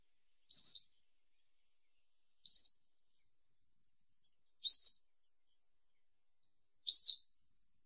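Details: Four high, wavering, squeaky chirps from a Western yellow wagtail, several trailing into soft buzzy twitters, spaced about two seconds apart in quiet surroundings.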